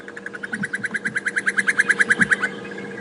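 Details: A crested barbet at Djuma Game Reserve gives a rapid, steady trill of about twenty even notes over two and a half seconds on a morning safari drive, 25 March 2016. It is likely answering another barbet calling in the distance. A faint vehicle hum runs underneath.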